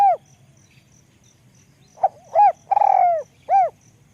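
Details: Spotted dove with a small voice, ลูกกอก style: the end of a coo, a quiet gap, then a brief note, a hollow coo, an extended quavering coo sliding down and a clear final coo; faint ticking behind.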